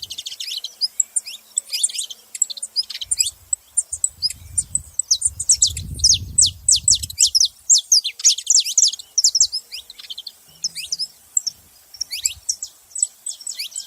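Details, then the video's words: Saffron finch delivering a long, dense stream of high, sharp chirps and slurred notes in varied bursts, with a low rumbling sound midway. "Canário da terra fazendo barulho"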